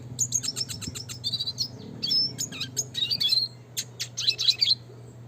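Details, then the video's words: Classic red siskin (Spinus cucullatus) pouring out fast, buzzy, high-pitched twittering in the gacor nembak ngeroll manner, used as a training recording, with notes tumbling almost continuously over a low steady hum. "pancingan suara kicau burung red siskin klasik gacor nembak ngeroll"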